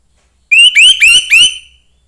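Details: Young orange-headed thrush from the forest singing four short whistled notes, each sliding upward, delivered within about one second against a quiet background.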